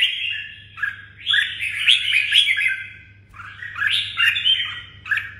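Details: Red-whiskered bulbul kept as a songbird in Đồng Nai, singing quick chattering, warbled phrases with rising and falling notes in two longer bursts, some harsher squeaky notes mixed in, over a steady background hum.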